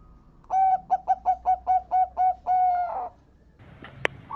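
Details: Local zebra dove song, used as a lure to make other zebra doves sing: a run of about eight short, soft, evenly spaced cooing notes ending in one longer, trilled coo, followed by a sharp click.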